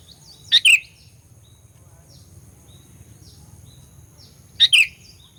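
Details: Sooty-headed bulbul lure song aimed at provoking rivals: two short, sharp two-part phrases about four seconds apart, with faint high chirps from other birds in between.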